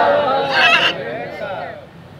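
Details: Pet macaw, trained to speak Telugu, at a farmhouse in Rajahmundry, Andhra Pradesh, says "Johar Ambedkar" in a short, raspy, voice-like phrase with rising and falling tones, fading into quieter background noise.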